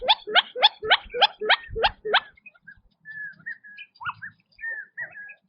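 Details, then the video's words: Several quail feeding in their natural habitat; a fast run of seven loud rising-falling chirps, then softer short whistled notes scattered over the rest. "Quail Birdsong in Nature - Relaxing Chirping Sounds"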